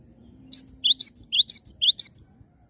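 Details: Energetic cinereous tit: roughly ten ringing high notes in under two seconds, rising chirps alternating with thin piercing whistles in a regular beat, with a faint low hum behind.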